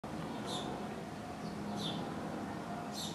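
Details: At a balcony in Canton Zurich, Switzerland, on 20 May 2012, a house sparrow mother feeds her chick rice. Three brief, high chirps come about every second and a quarter, faint over a steady rumble of traffic.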